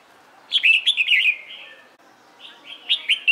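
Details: Red-whiskered bulbul in competition training sings a tumbling warbled phrase of quick slurred notes trailing into a softer whistle, then after a pause a second bright phrase begins.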